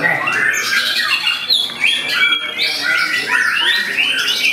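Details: Murai batu, the white-rumped shama, in full display of its repertoire, a much-sought singing style: rapid varied phrases of clear rising and falling whistles mixed with harsh chattering notes, delivered continuously, a brief gap near mid-phrase.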